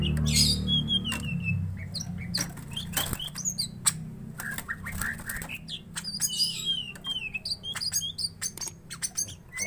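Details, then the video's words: Agitated greater green leafbird squaring up to a rival: bursts of varied chirps and whistles, a dense chattering run near the middle, with clicks, rustling and low background hum. "Cucak Ijo Gacor Tarung"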